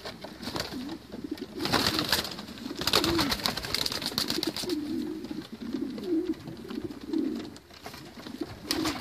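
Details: White racing homing pigeons cooing: low, rolling coos that come again and again through the clip, mixed with loud rustling, fluttering and scraping noises.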